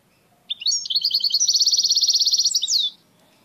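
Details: Tame European goldfinch singing strongly while attacking and biting a finger: a long, rapid, evenly repeated buzzy trill of high notes lasting over two seconds, ending in a quick rising slur.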